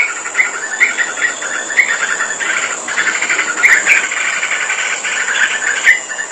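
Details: Chatty sooty-headed bulbul song: lively trills of bubbly notes punctuated by sharp, bright chirps every second or so, with a steady high-pitched hum behind.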